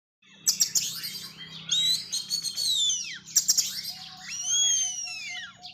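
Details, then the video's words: White-rumped shama, described as a fierce wild forest bird, singing loud clear whistles that slide up and down, mixed with sharp chattering bursts and buzzy notes in a varied, energetic phrase. "KACER SETAN ALAS NGAMUK"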